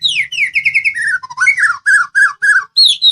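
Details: White-rumped shama, Medan type, pouring out a varied training song that is meant to make other birds reply. It holds rapid repeated whistled notes, downward slurs and clear separate phrases near the end.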